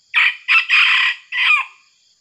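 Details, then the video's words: Red junglefowl decoy male, once grabbed by an eagle, crowing to challenge wild males: a loud, hoarse four-part crow with short first syllables, a long drawn middle note and a final note that drops away. "pikat josssjokinya jossayam hutan jossspokoknya joss gandosss"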